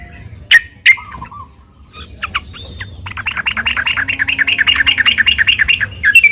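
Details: Yellow-vented bulbul in energetic fighting song, used as a lure to provoke other bulbuls into answering; two sharp notes and a short low trill, then a fast run of repeated chattering notes, about three per second.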